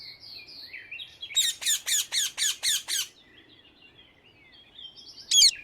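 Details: A free rose-ringed parakeet in the Netherlands chatters softly, then delivers seven loud, harsh screeches at about four per second, ending with one more sharp squawk.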